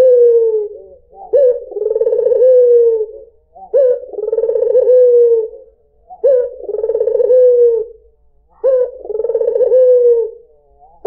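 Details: Melodious cooing of a white dove (puter putih), played to attract other birds: four rolling, purring coos in steady repetition roughly every two and a half seconds, each opening with a brief sharp upnote.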